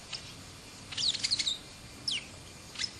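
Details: Brown-and-yellow marshbird giving a quick burst of high, squeaky chirps, then two sharp, falling whistled notes under a second apart, over faint background hiss.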